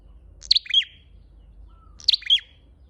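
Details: Lure call of a red-headed flowerpecker: two bright, high chirp groups, a quick doubled note then a descending buzzy trill, spaced about one and a half seconds apart.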